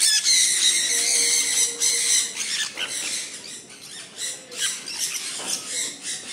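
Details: Sun conures in falling rain, a rapid run of piercing screeches fading into quicker, softer chattering calls over rain patter.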